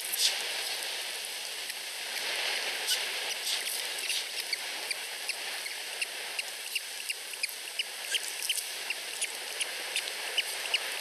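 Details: Two week-old osprey chicks in a nest in Finland beg for food from their mother. Short, high, piping cheeps repeat roughly three times a second, fairly evenly, for eleven seconds over steady background hiss.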